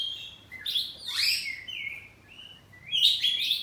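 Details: Home-kept oriental magpie-robin giving loud, rasping, sweeping notes and a drawn-out whistle, then another harsh burst, in ngeplong saut-sautan singing.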